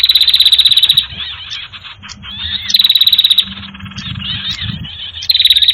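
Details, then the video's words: Sirtu bird lure sound used in trapping: a loud rattling trill opens, then soft chatter follows, and the trill comes back twice more, roughly every two seconds. "Suara PIKAT burung Sirtu anti gagal"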